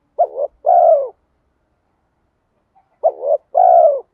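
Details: Spotted dove decoy bird, 'giọng đồng' style, calling to lure wild doves: two identical phrases about three seconds apart, each a short rolling coo and a long, steady, falling coo.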